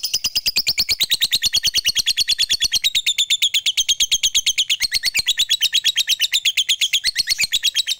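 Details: Long ngekek trill from a fighter lovebird, a lure meant to call rivals and get quiet lovebirds singing; fast, evenly spaced chattering pulses run unbroken for eight seconds, with a brief rise near the end.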